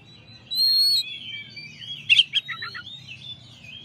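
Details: Champion Oriental magpie-robin song recorded as a master: a long harsh rasp, rippling whistles, then a sharp clicking burst followed by a short run of quick pulsed notes and a trailing wavering whistle.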